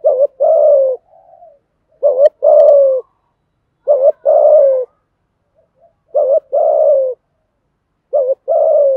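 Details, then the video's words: Male and female spotted doves cooing to stimulate other doves to call: paired phrases of a short wavering note then a long, low, slightly falling coo, repeated four times with soft murmurs between and no other sounds. "tiếng chim cu gáy thúc gù bài bản, ra bài liên tục"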